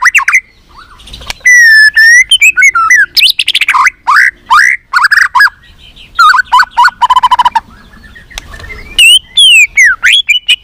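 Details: Long, rich white-rumped shama song for training and stimulating shamas: sustained whistles, buzzy rasping phrases, rapid clicks and varied swooping notes in rolling sequences, broken by brief pauses.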